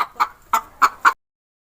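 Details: Hen clucking: four short, punchy clucks spaced about a third of a second apart, then silence.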